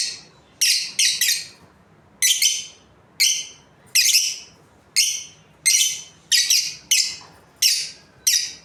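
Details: A breeding pair of budgerigars gives harsh, high, scratchy chirps in quick single and double bursts, about one every three-quarters of a second, with a quiet background.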